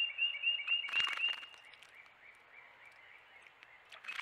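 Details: Wrens at a bird bath, a few of them vocal: a fast run of short, high chipping notes at about four per second, with water-splash bursts and fainter downslurred chirps in the background.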